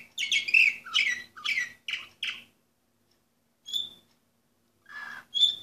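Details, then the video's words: Orpheus canary, ring number 24 from 2014, sings a few quick bursts of bright chirps and falls silent. After a pause come a single whistled note and a last short phrase. "canary orpheus"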